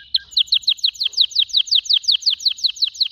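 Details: A canary sings a fast, even trill of sharp descending chirps repeated steadily through the whole stretch, bright and high.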